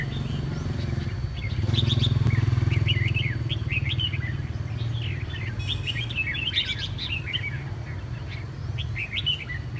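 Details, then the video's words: A red-whiskered bulbul, regaining its voice after a long-lasting cough and hoarse spell, sings quick bubbly warbled phrases of short rising and falling notes in rapid runs. A constant low droning hum sits underneath. "Nhị mào tái xuất -Phục hồi ho mãn, khàn khê"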